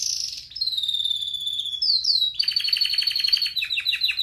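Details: Singing red factor canary, training song: a long high whistled note with two upward slurs, then a fast series of repeated downslurred notes.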